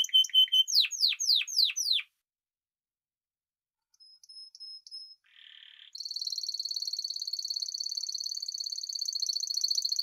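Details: Spanish timbrado canary song: fast descending sweeps, a gap of near silence, faint metallic notes, then a long high rapid trill held steadily to the end.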